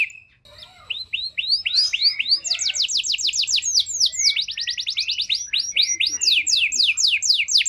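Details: Canary singing a pancingan lure recording for canaries lacking condition: soft opening chirps build into rapid repeated sweeps, then quick high trills and falling whistled strokes, all high-pitched and continuous.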